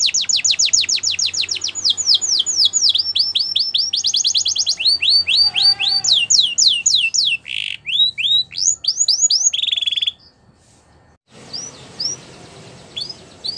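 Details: Extended Belgian canary song of fast falling whistled trills, buzzy rattling passages and swooping notes, broken by a short pause, then a few quieter scattered notes over background hiss.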